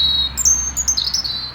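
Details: The first European Robin of the dawn, at 6:10 in spring near Neuchâtel, Switzerland, sings a melancholy territorial song, likely the male's. It is a brief run of thin, high, liquid notes, some sliding and wavering, against quiet.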